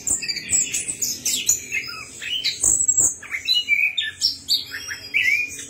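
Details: Orange-headed thrush, recording used as a lure to prompt silent birds to sing, singing a rich, rapid medley of clear whistles, chirps and slurred notes, high-pitched and varied, with almost no pause between phrases.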